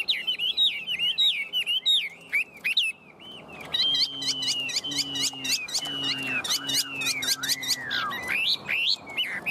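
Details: Caged Chinese hwamei male singing a varied song of high wavy whistles, then long sustained whistled notes repeated several times with a sharp falling slide and quick clicking accents.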